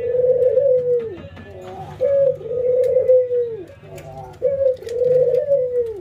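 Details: Barbary doves, a white albino and a local bird, nod and "laugh" in a routine training session: drawn-out, mellow coos of about a second each alternating with short clipped notes in a rolling, laugh-like rhythm, over a faint low hum.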